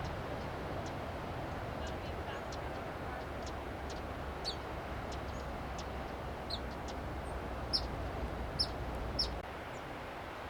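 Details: Black phoebe on an arroyo willow at Asilomar Dunes, California: a series of sharp, high, down-slurred chips, growing more frequent toward the end, with faint clicks and a constant low rushing noise behind.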